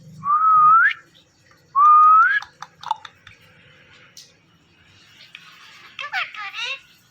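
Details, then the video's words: Pet Indian ringneck parakeet, a talking parrot, giving two clear rising whistles, each about half a second long, followed by scattered clicks and a few short squeaky chirps indoors. "Funny Indian Ringneck Talking Parrot"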